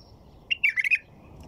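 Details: A white-eared bulbul gives one loud, bubbly song phrase: a clear opening note followed by four quick, fluty warbles run together, lasting about half a second against quiet surroundings.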